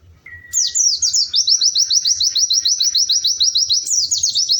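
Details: White-eye (pleci) singing in lively, melodious gacor style: after a thin faint whistle, a fast, even trill of high, sharply down-slurred notes runs steadily, with a brief twittering flourish near the end.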